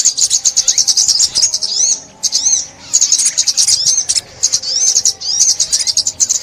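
A sunbird gives a fast, very high, thin twittering song in dense bursts of sharp chirps and short trills, with two brief pauses.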